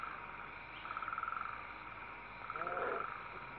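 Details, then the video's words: While being fed by their mother, owl chicks give two buzzy, pulsing hisses about one and a half seconds apart, the second joined by a lower curving call. Recorded December 19, 2012, with the father owl hooting. "listen to them hiss and Pappa "hoo!""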